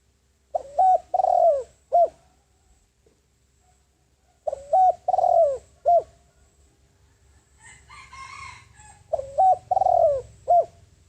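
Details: Spotted dove, a decoy bird used as a lure to call in wild doves, giving phrases of low mellow coos with a rough burred middle note, three phrases spaced about four seconds apart; faint chirping of another bird between them.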